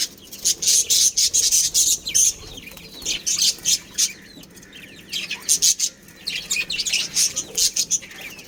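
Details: Chirping from a breeding pair of budgerigars: dense runs of high, harsh chattering pulses, about three per second, broken by brief quieter gaps.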